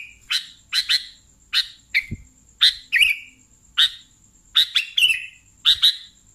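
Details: Sooty-headed bulbul: quick, bright, clipped notes in close pairs and triplets, one with a lower trailing slur, evenly spaced through the recording; a faint steady high tone persists behind.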